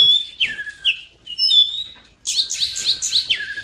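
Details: Oriental magpie-robin singing, used to spur mute birds into song: clear level and falling whistles in short separated phrases, then a dense burst of high, rapid chirping notes.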